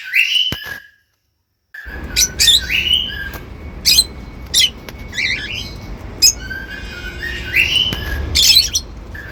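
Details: Pet cockatiels, which are also taught to whistle, giving short upward-sweeping chirps and brief squawky notes scattered over a hissy background, with a silent gap near the start.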